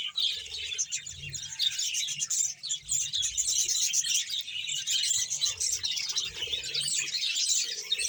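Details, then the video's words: Captive budgerigar colony, roughly a hundred birds, in Bahawalpur, Pakistan; many birds twitter at once in a thick, high, buzzy chorus of short chirps that never pauses, over faint low background rumble. "100 pear budges parrot colony progres mashallah ♥️ #bahawalpur budges sound"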